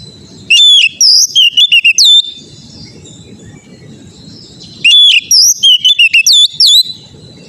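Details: Kacer, the Oriental magpie-robin, singing on a training track meant to get other birds singing; two bright phrases of high whistles and rapid chirps, about four seconds apart, separated by quiet low rumble.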